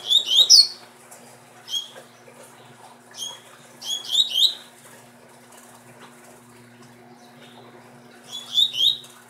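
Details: A captive male double-collared seedeater from breeding stock sings short, bright bursts of rapid twittering and whistled notes, repeated every second or two with pauses, over a faint steady low hum.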